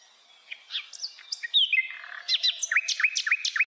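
Nightingale song: a rapid run of varied whistles and sharp chirps, then a series of quick, repeated upslurred notes, high and clear with no other sounds.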